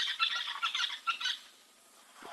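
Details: Red-billed buffalo weavers calling on an African wildlife cam on November 4, harsh, creaky, repeated notes like someone cranking an old engine that won't start.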